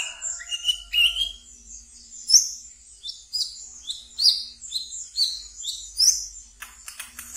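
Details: Pet brown-throated sunbird in ngeriwik song, used to lure and calm newly caught birds: lower whistled notes at the start, then rapid high chirps, upslurred squeaks and thin chips crowded together in a busy twitter.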